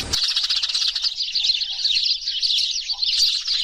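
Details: Noisy flock of Eurasian tree sparrows, a lure recording meant to draw the birds down: continuous high, overlapping chattering chirps forming a steady bright wall of sound.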